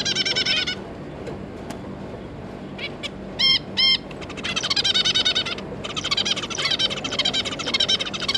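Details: Zebra finch pair with their three juveniles, recorded 9 June 2022: bursts of rapid nasal, buzzy chattering notes, with two louder, clear honking calls in the middle.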